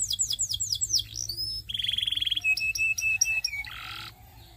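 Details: Varied song from a Belgian singing canary: fast falling sweeps, a whistled note, a low buzzy trill, spaced sharp chips, and a harsh rasping phrase at the end.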